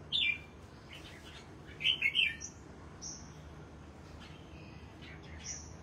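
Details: Red-whiskered bulbul kept in a cage for singing competitions, heard in the morning after bathing: brief bright chirped phrases at the start and middle, separated by thin high whistles and quiet gaps over steady low background noise.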